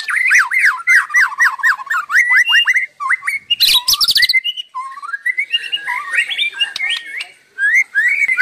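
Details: White-rumped shama singing nonstop, a varied torrent of loud whistled phrases: rapid repeated swooping notes, a harsh buzzy burst near the middle, then rising and falling whistles and trills.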